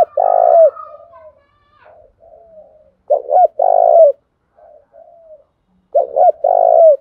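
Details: Spotted dove kept as a decoy, cooing to make wild birds call back: three loud, low, rough coo phrases, each a short stutter then a long drawn coo, with softer, quieter coos in between; no other sounds.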